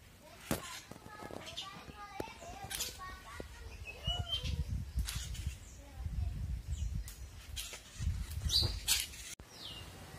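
A bulbul gives bright, short chirps and quick whistled notes, scattered irregularly, while people talk in low murmurs through the middle of the clip.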